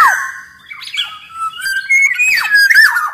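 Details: Kepodang, the Black-naped oriole, in full song for training caged birds: a down-slurred note, then rising and falling liquid whistles that quicken into rapid swooping phrases toward the end.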